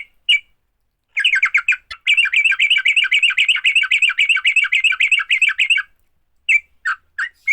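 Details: Sooty-headed bulbul fighting song, used to quickly get other bulbuls singing: a brief note, then a long rapid chattering trill of dense repeated notes for almost five seconds, followed by a few scattered sharp notes.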